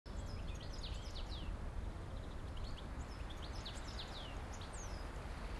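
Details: Male European goldfinch (Carduelis carduelis) song from the Oldenburger Land in northwest Lower Saxony: a hurried run of high, tinkling twitters and short slurred notes with interspersed calls, over a steady low rumble.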